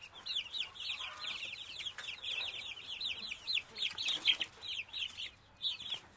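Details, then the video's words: Chicken chick calls: a steady stream of shrill, downward-arched peeps, several birds overlapping, repeating rapidly for six seconds with little pause. "Chick sounds and voices"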